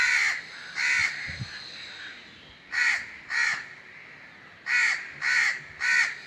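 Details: Crow giving harsh, hoarse caws in three clusters of two or three calls separated by pauses, loud and clear over a low background hum.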